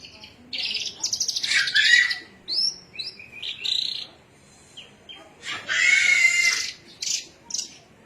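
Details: Song of a Javan myna from Cilacap, Indonesia: loud harsh rasping bursts mixed with brief whistled notes, delivered in uneven phrases separated by short pauses.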